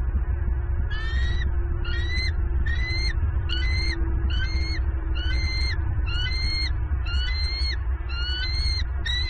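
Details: Wild bald eagle pair at a nest in southwest Florida, 7 November 2022, the female screaming with excitement as the male delivers a fish; a run of sharp, high, stuttering calls repeated about every second over steady low rumbling noise.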